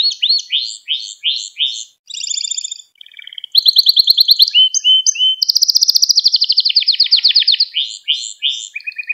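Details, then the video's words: Song of a Gloster canary, meant to rouse other canaries and teach young birds: quick repeated chirps, then rapid rattling trills, a long rolling buzzy tour and steady lower whistled notes, continuous and clear. "Gloster Kanarya Sesi Ve Ötüşü | Kanarya Huylandırma | Kanarya Kızıştırma"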